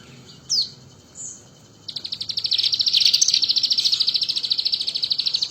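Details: Crested jay singing vigorously while imitating the bar-winged prinia: two short sharp notes, then a long, fast, buzzy trill of high clicking pulses at a steady rate of roughly eleven per second.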